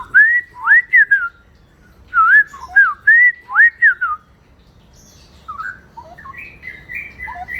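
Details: Straw-headed bulbul (cucak rawa) ropel song: loud, clear, rolling whistled phrases rising and dipping in quick bursts, then softer scattered notes trailing off, in otherwise quiet surroundings.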